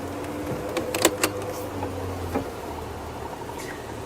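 Vehicle engine hum with a few clicks and knocks, no animal voices heard.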